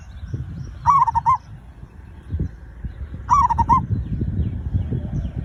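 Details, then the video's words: Zebra dove cooing, played to coax other birds into singing: two identical phrases roughly two and a half seconds apart, each a hooked rising coo followed by three fast, clipped notes, with low rumbling noise underneath. "perkutut raja pikat cocok untuk memancing burung cepat bunyi"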